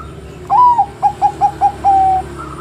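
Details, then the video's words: Zebra dove, Bangkok type, said to provoke other doves to sing; a short rising coo, four evenly spaced clipped notes, then a sustained flat final note, with faint background hum. "Suara PERKUTUT Bangkok Gacor NGEROT super BEKUR ini paling pintar membuat Kutut Lain BUNYI emosi"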